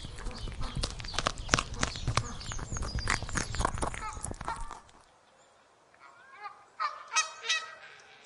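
Several short, nasal goose honks in quick succession close the recording. They follow about five seconds of loud clattering and scuffling noise, then a brief lull.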